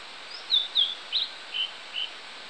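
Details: Blue-and-white flycatcher singing on 16 July 2016: five clear, high whistled notes, each about a third of a second apart, the phrase stepping gently downward, with steady faint hiss behind.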